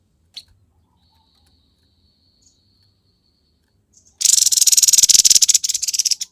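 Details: Grey-headed babbler in harsh song: near silence with a couple of faint ticks, then a sudden two-second burst of fast, scratchy, buzzing pulses that ends the recording.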